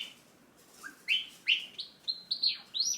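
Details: Hand-tame pet Java sparrow in a cage, singing to its owner who is about to leave: quick series of bright, clicking and bell-like whistled notes, some rising and some sliding down, about eight notes in three seconds.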